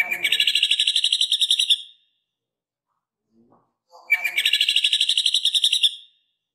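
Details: Jamtrok green leafbird rattling out a common flameback woodpecker imitation for training other birds: fast, even, metallic notes for about two seconds, a quiet gap, then the same rattle repeated.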